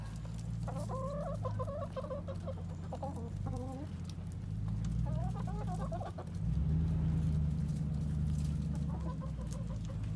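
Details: Flock of chickens at an urban farm in Colorado Springs, several pecking at a pumpkin, utter wavering, quavering clucks in two bursts separated by quieter pauses, with a constant low background drone.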